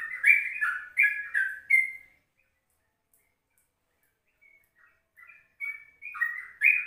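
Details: Yellow-vented bulbul morning song at 04:30, meant as a lure and tutor for other birds: a burst of rich bubbly phrases, a silent gap of about two seconds, then softer notes building back into warbled phrases.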